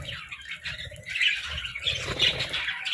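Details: Morning chatter of pet budgerigars: dense, scratchy high warbling and squawky chirps running without a break, over low rumbling thumps and fluttering.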